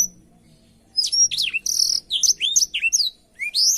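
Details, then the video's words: Blackthroat song for canaries to copy: after near silence, a dense burst of high, buzzy whistles and falling slurs, then one last rising note. "suara burung blackthroat untuk masteran kenari"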